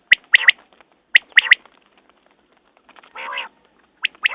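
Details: Quail call: two crisp three-note phrases of sharp, whistled clicks, then a drawn-out hoarse buzz, and the clipped notes start again.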